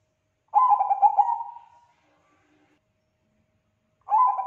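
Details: Bangkok-type zebra dove singing actively, its voice said to make other zebra doves answer: a stuttering run of soft cooing notes that ends in a long drawn-out coo, then silence until a second phrase begins.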